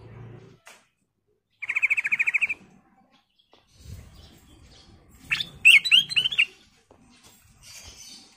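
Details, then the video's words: Sooty-headed bulbul in full song: a harsh buzzy trill lasting about a second, then later a rich phrase of bubbling, warbled notes, with soft low rustles between. "Kicau Burung Kutilang Emas Gacor"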